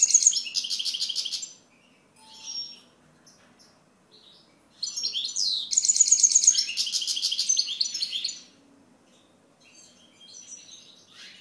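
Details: Goldfinch song in two long bursts of bright, rapid twittering and liquid chirps mixed with buzzy trills, separated by a few seconds of near silence with scattered soft notes.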